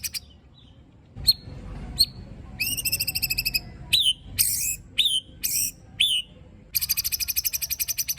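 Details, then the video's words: White-rumped shama singing in the 'tembakan' and 'besetan' style with rough fill, meant to provoke other shamas: scattered sharp whistles, a pulsed rattle, a run of sliding whistled notes, then a long fast buzzing trill. "Tembakan Dan Besetan Murai Batu Isian Kasar Ampuh Memancing Emosi Murai Batu"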